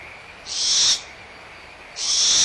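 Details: Nestling barn owls arguing over leftover food at Audubon Starr Ranch Sanctuary, April 2011: a drawn-out breathy hiss, then a second one starting about a second later, above a soft background of calling frogs.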